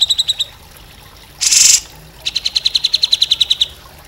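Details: Grey-cheeked bulbul (cucak jenggot) training song for other cage birds: a brief burst of quick chirps, a harsh rushing noise, then a steady run of rapid clipped notes repeated several times a second.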